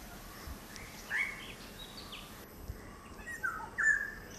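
A black-hooded oriole gives a few short, mid-pitched calls, one early and two close together near the end, over a steady background hiss.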